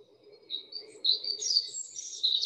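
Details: European Robin song played in a talk on bird song, described as a sad sound, like a bird telling a hard-luck story, falling at the end; sings through winter, more strongly in autumn. High, thin, quickly varied warbled notes over a faint low hum.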